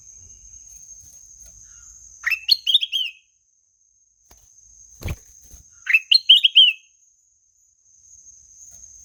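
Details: Ruby-throated bulbul repeats its melodious phrase twice, about four seconds apart. Each phrase is a rising note and then a quick cascade of slurred whistles, with a single sharp click between them.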